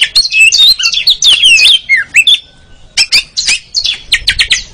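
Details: Kacer (Oriental magpie-robin) ngeriwik training song for caged birds: rich tumbling whistled warble, a short pause, then a series of sharp repeated chips.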